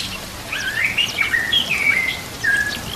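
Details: White-rumped shama training song with trickling water beneath: a smooth run of sliding whistled notes, rising and falling, some sustained and clear.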